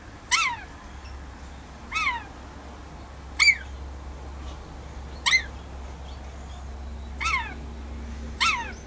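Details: A caged rainbow lorikeet spending time outdoors on a verandah calls toward wild birds: six short, rasping, falling screeches spread evenly about every one and a half to two seconds, with a low steady hum underneath.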